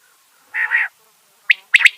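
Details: Quail call recording, used for quail hunting, in which a quail gives a buzzy, two-part mid-pitched note, then a pause and three sharp, clipped notes in quick succession. Nothing else is heard.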